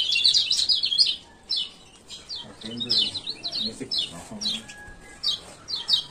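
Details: A male Lemon-bellied White-eye from Lombok pours out a fast, high chirping burst, then spaced single 'ciak' notes, used as a lure for birds that have stopped singing; faint low sounds underneath.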